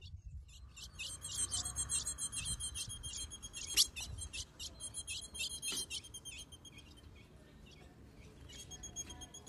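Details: A female ultramarine grosbeak soliciting mating and calling to stimulate the male, in caatinga country, gives rapid, high, thin chips in quick bursts over a low background rumble.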